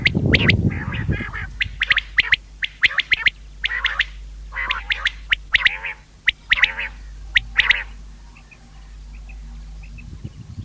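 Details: Common quail sound for hunting: irregular bursts of short, nasal, harmonic notes and sharp clicks, loud thump at the start, fading to near silence toward the end.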